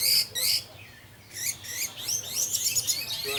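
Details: Orange-headed thrush in 'teler' singing style, used as a lure to get other thrushes singing: high, quick, varied whistled phrases and sharp sweeping notes in fast bursts, separated by a brief quieter pause.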